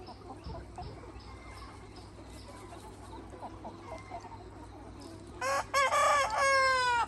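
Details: Free-range rooster of a Red Mía flock with hens: soft scattered clucks and faint chirps for five seconds, then a loud harmonic crow beginning at about 5.5 seconds in broken syllables and ending in a long held note.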